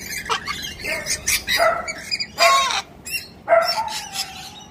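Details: Several Galahs (Eolophus roseicapilla), a flock of pink cockatoos visiting and not at all shy, give harsh, rasping screeches in quick succession with loud overlapping bursts about once a second over faint outdoor background.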